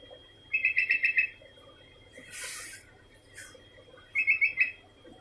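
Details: Calling continuously, a Sooty-headed bulbul gives two lively phrases of five or six rapid liquid notes about three seconds apart. A brief rustling hiss falls between them.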